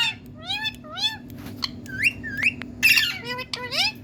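A parrot chatters in quick, speech-like syllables that rise and fall in pitch, with one harsh squawk midway over a low indoor hum.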